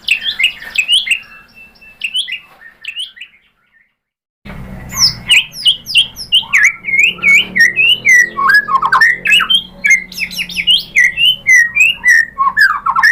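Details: Lure track of white-rumped shama song, played to provoke singing: a few whistled phrases, several seconds of silence, then a rich, continuous outpouring of rapid varied whistles, trills and slurred notes over a low background hum.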